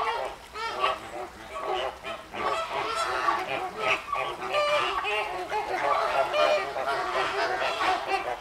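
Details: A noisy flamingo flock at Llanelli Wetland Centre, Wales, recorded 21 August 2021, produces an unbroken wall of overlapping honking and gabbling calls.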